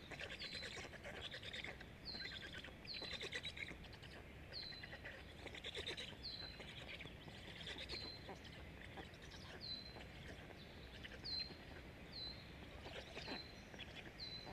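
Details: Five hungry black stork chicks at a nest in Jõgeva County, Estonia, beg while eating fast, with thin, high, down-slurred squeaks about once a second over a steady rushing background noise.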